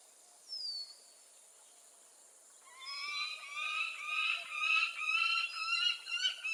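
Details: Peregrine falcon calling: a single short, thin, falling whistle, then after a pause a loud run of harsh, ringing, harmonic notes repeated about twice a second, building in strength to the end.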